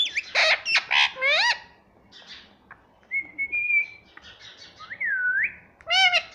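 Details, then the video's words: Talking pet ringneck parrot, said to say "mummy": a burst of rapid nasal chatter, then a pause, a long level whistle, a scooping whistled note and a final sharp harmonic squawk. "Talking parrot || talking parrot mummy papa || bolne wala tota"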